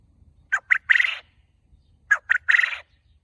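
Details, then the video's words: Caged farm quail calling loudly, giving two three-part phrases about one and a half seconds apart, each with two short clipped notes and then a drawn-out harsh, buzzy note. "فارمی بٹیر کی تیز آواز نے سب کو حیران کر دیا 🔥 | Loud Farmi Batair Sound in Cage"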